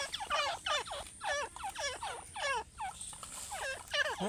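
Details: Partridge (teetar) fighting, giving rapid, harsh, grating notes, about three per second, each sliding down then up, in a steady agitated series.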